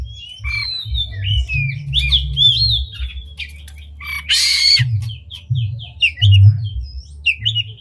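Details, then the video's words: Singing oriental magpie-robin (kacer) spreading its tail, used to provoke other magpie-robins to sing: a rich stream of slurred whistles and short chirps, broken midway by a loud harsh rasp, with steady low rumble underneath. "Pancingan Kacer Gacor Buka Ekor Lagu Unik! Bagus Buat Menaikan Emosi Kacer Lain Agar Gacor"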